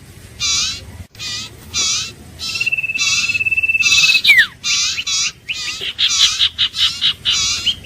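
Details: Iora (Vietnamese Huýt Cô, Chim Nghệ) repeating short harsh notes about twice a second. A long steady whistle cuts in and ends in a sharp downward slide, followed by bursts of twittering and chattering.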